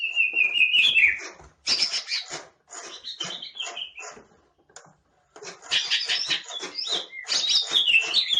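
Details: A green leafbird fans its tail as it sings. A sliding whistle opens the song, then a run of harsh, buzzy chatter and fluty notes follows in three bursts separated by short silences.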